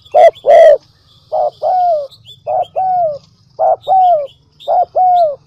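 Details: Decoy dove coo played to attract doves: opens with two loud harsh bursts, then regular pairs of soft falling coos about once a second, with faint high chirps of other birds.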